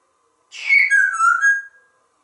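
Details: Pet African grey parrot, a talkative male, giving a single loud whistled note about a second long that starts higher and slides down, then holds steady, indoors.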